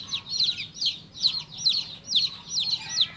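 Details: A baby chick peeps in short bursts, each a cluster of two or three piercing, falling notes, the bursts spaced roughly half a second apart.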